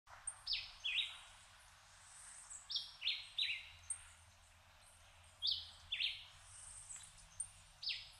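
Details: Puerto Rican emerald (Chlorostilbon maugaeus), endemic to Puerto Rico, a female feeding her chick: thin, very high squeaky chips in short bursts of one to three, irregularly spaced, over a soft background hiss.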